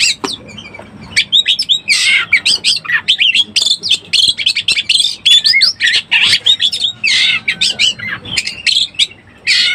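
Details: Oriental magpie-robin in breeding condition, used as a lure to excite other birds: dense run of loud, varied whistles and harsh squawky notes, fast chattering bursts with brief pauses, clear over a quiet low hum.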